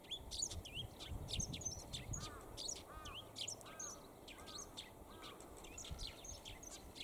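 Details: Eurasian tree sparrow perched at length in good weather, chirping rapidly in high, sharp notes, while short arched lower notes repeat about once a second and low rumble fills the first seconds.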